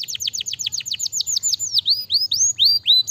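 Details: Canary song used to stimulate lazy canaries into singing: rapid trill of repeated high downward-sweeping whistled notes, about twelve per second, slowing into longer rising-then-falling whistles in the second half, with a faint low hum underneath.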